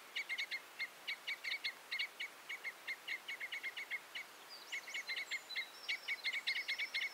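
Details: Common crossbill song: series of short, sharp chip notes around a steady pitch, delivered in quick bursts of several per second, with a higher, more varied warbling phrase near the end; faint background hiss.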